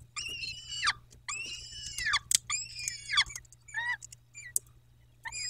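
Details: At a peregrine falcon nest in Dobra, 14-05-21, 14.18, three harsh, drawn-out wailing cries with falling ends, then shorter broken calls and sharp high clicks.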